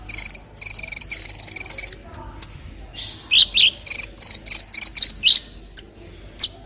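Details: Olive-backed sunbird song used to tutor other birds: loud, rapid, high buzzing trills in bursts, broken by short downswept chirps and a few isolated thin notes.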